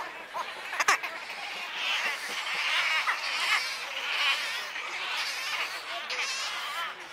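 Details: Wood stork chicks begging at Wakodahatchee Wetland, Florida: a continuous wavering nasal chorus of many young, swelling and fading, with a sharp click early on.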